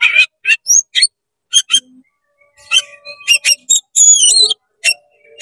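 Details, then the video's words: Oriental magpie-robin singing a rapid 'konslet' song while opening its tail, meant to provoke other magpie-robins: bursts of sharp buzzy notes alternating with clear high whistles that slide and warble, with short silent gaps between phrases. "CEPAT GACOR BUKA EKOR DONGKRAK EMOSI KACER KONSLET BIKIN KACER LAIN PANAS"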